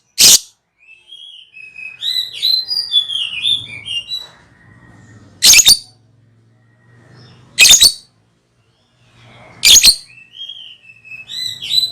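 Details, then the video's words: Lovebird ngekek lure calling: loud, harsh high screeches roughly every two seconds, mixed with softer twittering and warbled chatter between them. A low hum is present in the background. "Pancingan Love bird ngekek"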